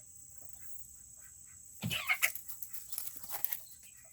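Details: Tiny Serama chickens in a coop on a cool Tuesday; quiet at first, then a sudden burst of louder clucking and squawky calls lasting about two seconds, with scattered taps around it.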